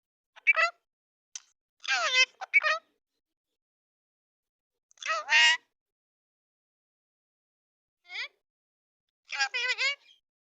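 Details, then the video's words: Talking pet rose-ringed parakeet: short clipped speech-like syllables and squawky phrases in scattered bursts separated by silence, no other sounds. "talking parrot"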